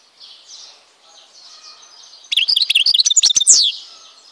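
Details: European goldfinch from Tizi Ouzou, Algeria, singing. After a faint start, a loud burst of rapid, tinkling high twitters with buzzy notes packs the last second and a half.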